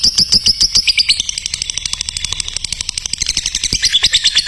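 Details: A lovebird delivers training song for other lovebirds, a few clear whistled pips at first, then a dense, rapid chatter of harsh high notes running on without pause.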